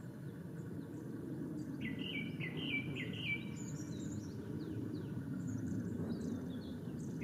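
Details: A male Japanese thrush sings at Ōbora spring, Lake Yamanaka, Japan, 3 May 2017: a short burst of rapid whistled notes, followed by thin, high twittering phrases, over heavy steady low background noise.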